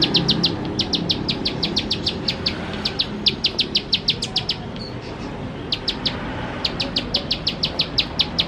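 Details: Bar-winged prinia song in bursts: quick high chip notes in uneven groups with a pause around five seconds, then resuming; steady low background noise.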